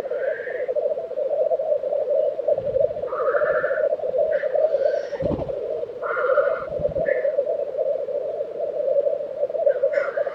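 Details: In Tiveden, Sweden, during April 2023, black grouse at their lek make a continuous burbling, rookooing drone. Repeated hissing sneezes come every second or two, and low thumps are heard between them.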